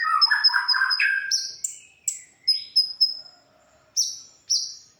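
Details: Konin song recorded as masteran material for training other songbirds: a warbling run of rapid chirps in the mid range, then high thin whistled notes, repeated short slurs and scattered downward-sweeping calls separated by brief pauses.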